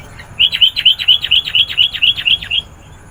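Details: Sooty-headed bulbul singing in full, chatty voice, used to call in wild birds: around fourteen sharp, downslurred chirps in a steady, rapid string lasting just over two seconds, with a quiet background.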